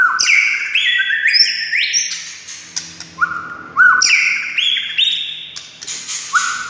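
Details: White-rumped shama (murai batu) song meant to provoke silent shamas into singing: clear whistled notes stepping up and down, with long flat tones and short sweeps, in two loud bursts separated by a quieter pause.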